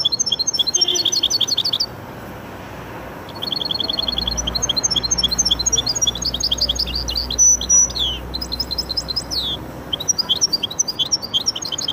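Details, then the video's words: Goldfinch × canary hybrid singing: rapid runs of bright, high trills and repeated chirping notes, with a brief pause near two seconds, then fast twittering phrases and a few sharp whistles over a low background hum. "هجين ويداني ممتاز أتحفنا به الأخ وضاف #Hybride_chardonneret_et_canari"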